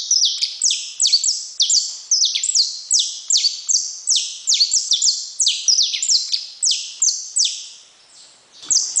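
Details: Saffron finch pouring out dense, energetic song of crisp high notes that drop sharply in pitch, strung together in rapid clusters, pausing briefly near the end before resuming.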